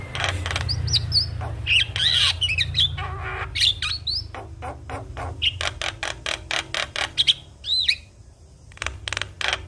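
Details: Javan myna 'gacor full isian' song, said to get all mynas singing along: harsh rapid pulses and scattered whistles over a steady low background hum.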